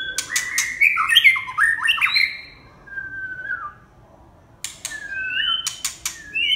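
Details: Red-whiskered bulbul singing a fast, tumbling series of warbled whistles, then a lone falling note, a quiet gap, and further slurred whistles amid sharp taps.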